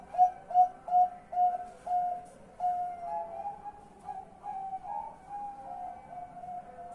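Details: A zebra dove's night call before going to sleep, 10 March 2021. It opens with five or six loud, clipped, hollow coos in quick succession, then flows into softer, rolling, slightly rising notes that trail off gently.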